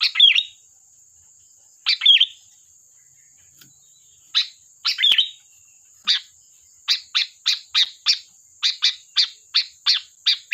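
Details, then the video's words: Sooty-headed bulbul, recorded for luring other birds, gives two full whistled phrases, then a rapid run of a dozen short sharp chirps repeated about every third of a second, with a faint steady high hiss behind. "Suara burung Kutilang Gacor || tembakan tajam pas untuk pancingan"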